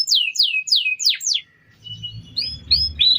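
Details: Canary master song for tutoring other birds: five loud downward-swept whistles in quick succession, a short pause, then softer high whistled notes rising and falling over a low background hum.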